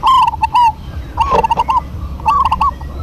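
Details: Busy duet of local zebra doves. Several tight phrases of trilled, liquid coos follow each other closely, one about every second, clear above a low background rumble.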